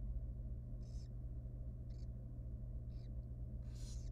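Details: Tiny wild barn owl baby being fed in a monitored nest box: four scratchy hissing calls, the last loudest and longest, over a constant low drone.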